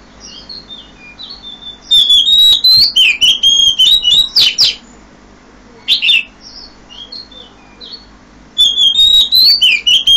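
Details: Early-morning Oriental magpie-robin song, heard at 5 a.m.: soft whistles, then bursts of loud, rapid varied whistled phrases and clicks separated by short pauses, ending with another lively warbled burst.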